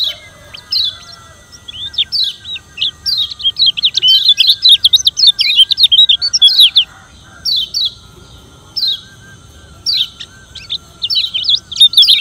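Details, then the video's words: Lombok yellow white-eye, a kecial kuning kept by bird hobbyists, singing its challenging song meant to provoke rivals: rapid bursts of high, sharp, twisting chirps and slurred whistles in fast clusters, separated by short pauses. "Kecial Kuning Suara Menantang Ampuh Bikin Lawan Ribut dan GACOR"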